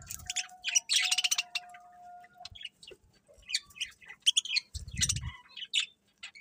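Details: Birds chirping in the morning with sharp high tweets and a fast twittering burst, a thin steady whistle-like tone early on, and a brief low rumble midway.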